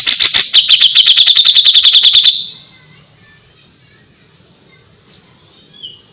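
A Grey-cheeked Bulbul gives a fast, high, chattering run of about twenty sharp notes over two seconds, then falls quiet apart from faint background sounds.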